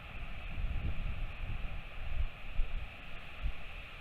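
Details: Low gusty wind rumble and a steady mechanical hum, with no animal voice.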